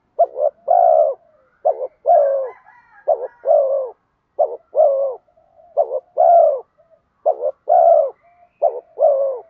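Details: Spotted dove cooing to lure wild doves, in the 'giọng đồng' style. Dense run of low phrases, short stuttered notes each followed by a sustained falling coo, about every second. Faint higher twitters are heard early on.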